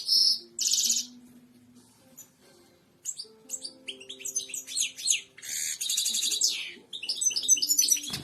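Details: European goldfinch song for tutoring captive birds: bursts of loud buzzy trills and rapid twittering notes separated by a quieter gap, with a faint low steady hum underneath.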